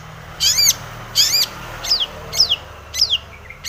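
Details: Long-tailed shrike singing to lure other shrikes into song; five or six strident, slurred notes spaced about two thirds of a second apart, the first two harsh and broad, the rest thinner and descending.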